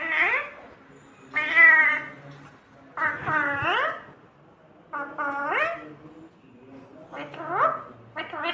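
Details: Talking pet parrot saying "mummy papa", voicing a series of speech-like syllables, each a warbling harmonic phrase that rises then drops, about one every second or two, over low background hum and faint music.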